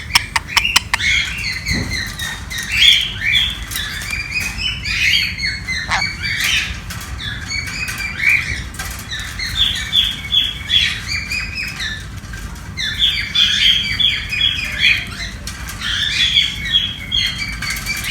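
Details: A sun conure, playing, chatters in harsh, rapid bursts of high squawks and chirps, with brief pauses between runs.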